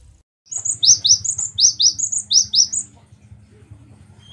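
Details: Cinereous tit used as a master recording for caged birds: a steady run of about a dozen paired high notes, each dropping in pitch, repeated evenly over two seconds over a low hum.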